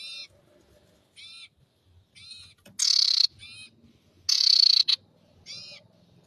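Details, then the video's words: Ashy tailorbird singing loudly, recorded as a luring master track: high buzzy phrases repeated at intervals, alternating softer rasps with two intense harsh trills about half a second long. "masteran pikat sirtu gacor dor suara keras paling di cari"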